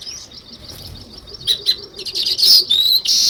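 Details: Sparrows and weaver birds chirping, starting soft and scattered, then building to louder sharp chirps and a shrill burst toward the end.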